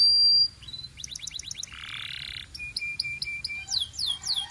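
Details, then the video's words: Belgian canary song with a loud opening whistle, a quick run of clipped notes, a harsh buzzy burst, spaced high chips, and closing descending sweeps. "Belgian Canary Singing"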